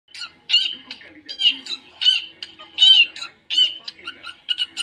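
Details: A budgerigar warbles, chattering in quick, scratchy bursts of squeaky notes at about one burst a second, with a faint low murmur in the background.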